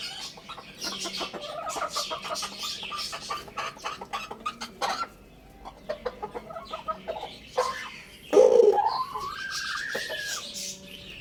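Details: Lohmann Brown rooster crowing loudly: after seconds of busy high chick peeping and short clucks, a loud burst near eight seconds leads into a drawn-out arched crow that rises and falls before fading.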